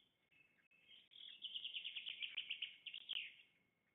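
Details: Black stork at a nest in the Łódź region of Poland at feeding time on 24 May 2021: high, squeaky, chirping calls come quickly, over three per second, building over about two seconds, with a thin steady tone behind.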